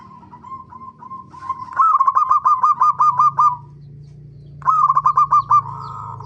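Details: Zebra dove used as a lure to make birds sing: a rapid staccato run of bright, even cooing notes, then a pause and a shorter second burst, over a steady low hum.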